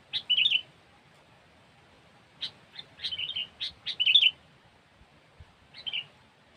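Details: Sooty-headed bulbul song used as a trapping lure: short bursts of bubbling, chattering notes in phrases separated by pauses, the clearest near the start and middle, with a faint low background rumble.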